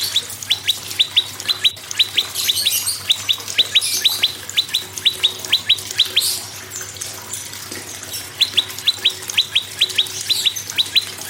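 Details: Prinia song used to encourage other birds to sing: long series of quick, high downward-sweeping chirps grouped in twos and threes, with hissing bursts of higher sound and a short gap midway.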